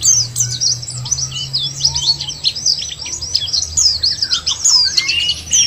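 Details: Lure sound meant to get white-eyes singing; busy, high-pitched chattering twitter packed with quick notes from several birds, occasional soft lower whistles, and a low droning hum underneath.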